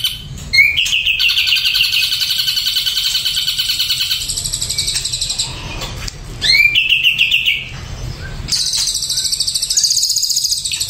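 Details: Doped Ashy drongo: an extended high buzzy trill following an upslurred whistle, a second shorter phrase, then a sharper, higher rattling trill.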